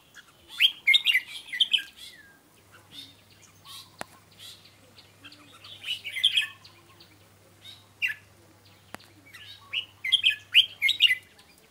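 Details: Red-whiskered bulbul song in three lively bursts of quick, tumbling whistled notes spaced a few seconds apart, with a couple of sharp clicks in between.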